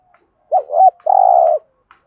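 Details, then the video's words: Spotted dove giving a 'thúc gù' style coo, used as a lure to stir wild birds into singing back: a short wavering double coo, then a longer, steady, throaty purring coo, in a quiet background. "tiếng cu gáy THÚC GÙ bài bản/ chim cu gáy giọng bài bản giúp bổi ức chế và gáy theo"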